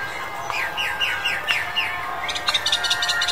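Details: A male Chinese Blackbird in February 2021 sings a quick run of about six falling slurred whistles, then a bright, higher chattering phrase, over a faint steady background hum.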